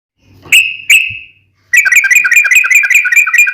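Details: Sooty-headed bulbul, locally trucukan, in a lively gacor song with long ropel trills: two clear whistled notes near the start, then a fast rattling run of bubbly chirps repeated rapidly.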